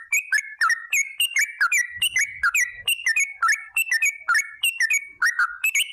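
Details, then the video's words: Sooty-headed bulbul in lively 'gacor' form, long 'ropel' rolling song used as a lure to get other bulbuls singing: rapid bursts of bright whistled notes, falling and rising, delivered in quick repeated phrases without pause. "TRUCUK Gacor ROPEL PANJANG pancingan trucuk agar BUNYI"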